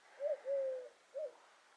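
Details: Little owl calling at Roquesérière, 5 August 2022: a short rising note, then a long, level, slightly falling hoot, a pause, and another brief upswept note, clear over a quiet background.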